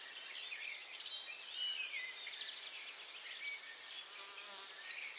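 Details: Icterine warbler singing between catching caterpillars, moving to a new perch: a varied, high-pitched run of chattering phrases and a fast, evenly repeated trill of sharp notes near the middle, with scattered squeaky accents.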